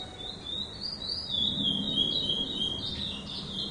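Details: Captive two-year-old chestnut-bellied seed finch (curió), recorded 05/10/2011: a continuous run of clear, high whistled notes, sliding and warbling without pause through the whole phrase, over a low background hum.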